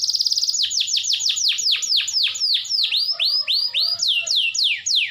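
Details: Lively caged canary song meant to stimulate other canaries that rarely sing: a quick rattling trill opens, followed by steady repeated down-slurred whistled notes roughly three to four per second.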